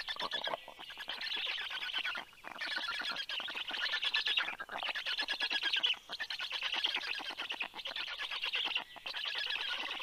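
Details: Black stork nestlings growling as a parent arrives at the nest with fish, morning of 11 June 2022 at 9:56: a dense, harsh, raspy chorus, continuous and buzzy, broken by short pauses about every one to two seconds.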